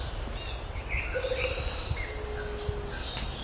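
Rufous-capped motmot giving low, hollow hoots: a brief trilled hoot, then a longer, steady, slightly lower one, over rumbling background noise and faint high chirps.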